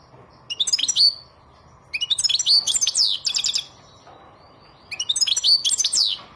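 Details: European goldfinch, silvestrismo: three separate phrases of fast, liquid twittering, each a cluster of bright chirps and slurred whistles ending in a drawn note, divided by short pauses.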